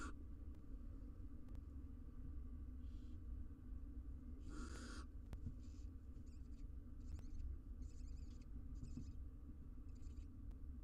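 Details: Female barn owl in an Israeli nest box with her day-old chick and eggs, male pressed beside her; one loud rasping hiss followed by a string of short, softer hissing bursts over constant low hum.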